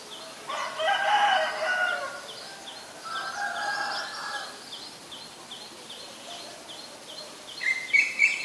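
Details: Black-collared starling in Ubon Ratchathani, Thailand, 17 April 2022, giving two bursts of rasping, harmonic chatter, followed later by a brief clearer whistle, with rapid high chirping from another caller running throughout.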